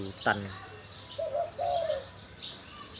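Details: Spotted dove in the Mongkhon Liu Tan song style: a brief human voice opens, followed by a pair of mellow, low cooing notes with a slight downward slur at the end.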